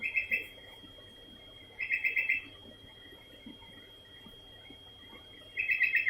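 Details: Sooty-headed bulbul repeating its quick, bubbly phrase of several chirping notes about every two seconds, at moderate loudness over a hissy, murmuring background and a faint constant high tone.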